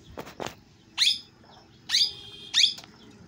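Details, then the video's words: Parrot calling naturally: three loud harsh screeches spaced about a second apart, preceded by two soft flutter-like thumps, in a quiet setting. "parrot sound l parrot voice"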